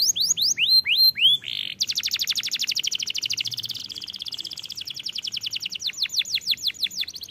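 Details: Canary song played to prompt young canaries to sing: upslurred whistled notes, then a long fast buzzy trill of rapid repeated high notes, ending with further rising whistles.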